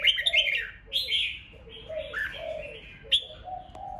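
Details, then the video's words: Ché-style fighting song of red-whiskered bulbuls, played to excite rival birds: quick, scratchy chirped phrases over a lower, mellow warble that runs almost continuously, plus a few sharp ticks. "Kích chào mào hót đấu hay nhất,bổi nghe là hót theo"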